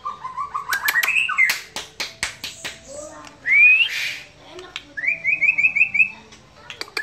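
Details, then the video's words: White-rumped shama singing in a relaxed style: scattered sharp clicks, a bright upward whistle, then a quick string of rising buzzy notes repeated about six times. "Murai Batu SH bunyi santai"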